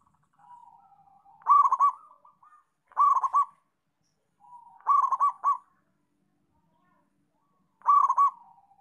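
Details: Local zebra dove (perkutut) singing vigorously, repeating a loud, rolling, staccato cooing phrase about every one to three seconds, each preceded by a soft, low coo.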